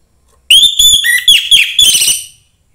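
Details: Song of a young forest orange-headed thrush, used to rouse other thrushes: a sustained bright whistle breaking into quick clipped notes, then a slurred, slightly harsh ending, lasting about two seconds.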